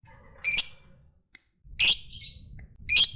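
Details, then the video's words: Lovebird in full voice, a fighter-type bird used to prompt other lovebirds to answer with long ngekek trills. Three loud, shrill, raspy bursts arrive about a second apart, each brief and bright, with a faint low rumble between them. "SUARA BURUNG LOVEBIRD Gacor, JAGO NGETIK Bikin Lovebird Apapun Lekas TAMPIL NYAUT NGEKEK"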